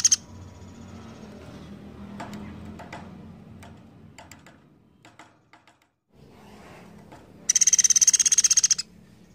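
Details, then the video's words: A Java sparrow in full song, giving long bursts, makes scattered dry clicks, then a rapid, high, metallic trill lasting about a second, over a steady low hum. "platuk beras gacor nembak panjang"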